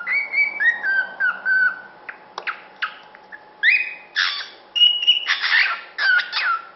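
A cockatiel sings clear, slurred whistles that drop in pitch, mixed with short chirps and raspy notes.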